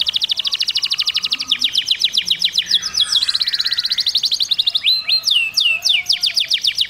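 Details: Canary singing to train chicks: sustained rapid trill of repeated high notes, shifting tours, then a few loud swooping whistles near the end.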